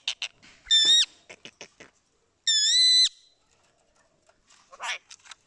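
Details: Talking rose-ringed parakeet mimicking human speech; two long, loud, wavering whistled tones among short clipped syllable-like sounds, then a rough burst at the end.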